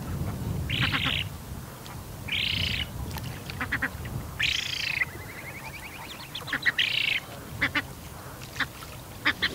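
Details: Young Eurasian spoonbill begging for food on an afternoon in September 2021 at Bislicher Insel: hoarse buzzy wheezes, the third one sliding into a longer wavering whine, followed by scattered sharp clicks.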